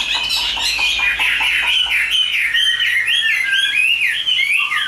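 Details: Caged Chinese hwamei, a bird praised as a fine singer, pouring out a loud varied song of rich whistled phrases that rise and fall, with quick slurred notes and a few harsh chips early on, in an indoor setting.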